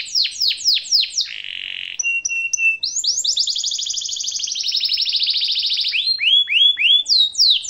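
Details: Canary tutor song for young canaries: a few quick downward whistles, a steady flat buzzy tone, short high pips, then a long rapid rolling trill ending in sweeping whistled notes.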